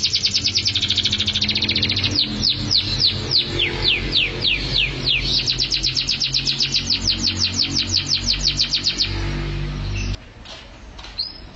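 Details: Canary singing mabok teler style: long runs of fast repeated high notes interrupted by swooping downward whistles, a rapid rolling trill, then an abrupt drop to near silence near the end.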